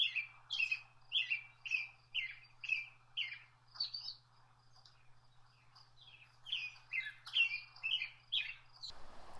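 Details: American robin (Turdus migratorius) singing a run of clear, caroling whistled phrases, each rising and falling, with brief pauses.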